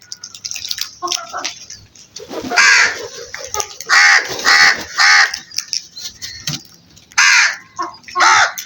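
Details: Crows in a flock give repeated harsh caws in short bursts, about one every half second in runs of three or four, separated by brief quieter gaps.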